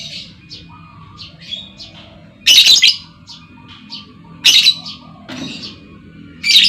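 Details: Lovebird female lure call, meant to set other lovebirds trilling: three loud grating shrieks about two seconds apart, with quiet chirps and low room hum filling the gaps.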